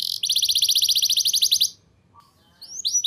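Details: Singing canary used to coax youngsters into song: a dense, buzzy high trill lasting over a second, then a pause and a few rising whistled notes, with faint low background hum.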